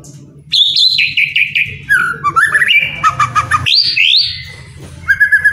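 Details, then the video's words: White-rumped shama, captive, sings to stir reluctant birds: a rich run of clear whistled phrases that step up and down in pitch, with brief rattling notes and short pauses over a low background hum. "MURAI MALES BUNYI..JADI GACOR PLONG"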